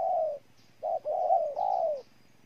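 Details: Spotted dove, Ninh Thuận, Vietnam, giving a mellow coo sequence: one long coo, a pause, then a short note followed by two drawn-out, gently falling coos run together.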